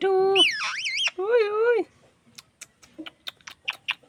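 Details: Parrot calling with two long, loud, harsh harmonic squawks, the first wavering up and down, followed by a scatter of quiet clicks and short chirps.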